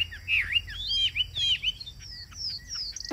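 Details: Chinese hwamei singing in a cage: loud swooping whistles that dip and rise, then thinner high falling notes and short steady whistles.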